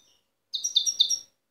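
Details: Wild goldfinch song from Tiaret, 2015 recording: one short, high, rapid buzzy trill of about six chattering notes, with a faint note before it.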